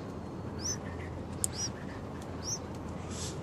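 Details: Six-day-old yellow-vented bulbul nestlings give three short, high, rising chirps spaced about a second apart, with faint clicks and steady low hiss behind.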